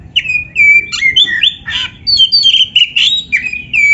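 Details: Oriental magpie-robin song used to heat up caged kacer that will not sing: clear whistled notes sliding down, mixed with scratchy chips and fast trills, delivered in an unbroken rich stream.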